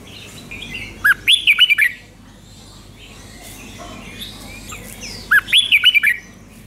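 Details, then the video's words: Thai Red-whiskered bulbul giving its five-syllable 'beun 2, beun 3' doubled song twice, about four seconds apart; each phrase is a fast run of six clear, warbling whistled notes, with quiet hum between. "เสียงนกกรงหัวจุกเบิ้ล2 เบิ้ล3 เพลง 5 พยางค์"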